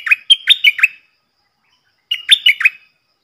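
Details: Two matching phrases from a stripe-throated bulbul kept as a decoy to train young birds and lure wild birds. Each phrase has four or five rich, gurgling notes that dip and rise, separated by a second of silence.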